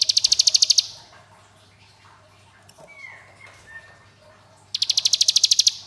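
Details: Rapid high ngebren rattle from a hill prinia, a clipped burst of staccato notes at the start, a quiet gap with thin gliding whistles, then a second fast pulsed volley near the end.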